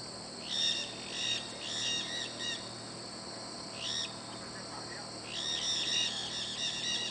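A flock of maritaca parrots gives harsh, screechy calls in ragged bursts, several birds overlapping, with a quieter gap midway and a steady background hiss.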